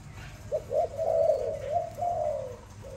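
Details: Sweet song of a kept Malay dove: a few clipped introductory notes, then a long, rolling, warbling coo with a gentle waver, ending in a falling note, over low hum.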